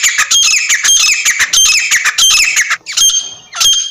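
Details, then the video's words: Partridge (teetar) calling loudly: a continuous stream of rasping, squawky notes with bright overtones, easing off near the end before a final burst. "Teeter Ke Awaz | teeter sound"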